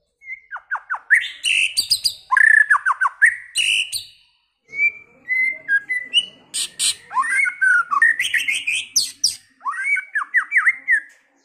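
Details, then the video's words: White-rumped shama singing early in its season, a varied many-voiced song: bursts of clear whistled notes and fast downslurred chips around mid pitch, mixed with harsh buzzy bursts, in phrases separated by short pauses. "chòe lửa hót,chòe lửa chuyền mùa đầu"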